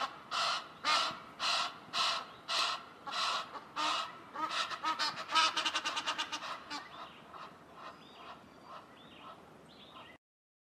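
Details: Egyptian geese fighting over territory on a cliff above a forest give harsh, raspy honks about twice a second, speeding into a rapid chattering burst before trailing off into fainter calls.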